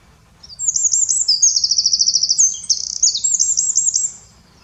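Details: Eurasian wren singing in the Eifel, Germany: a loud, very high, rapid outpouring of sharp chattering notes and a fast buzzy trill, with notes repeated in quick series for about four seconds before stopping abruptly.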